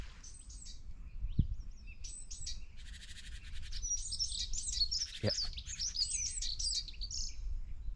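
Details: Dunnock song on 14 March 2024 in late winter: a short, high, hurried warble, like a wren's song but about five times shorter. Low rumble and a couple of soft thumps underneath.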